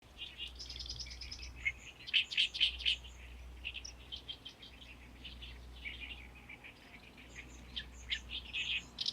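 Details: Oriental (Great) reed warbler singing in a reed bed on the shore of Lake Biwa, Japan, in May: loud, harsh, chattering phrases of grating and squeaky notes in quick bursts, over a low steady rumble.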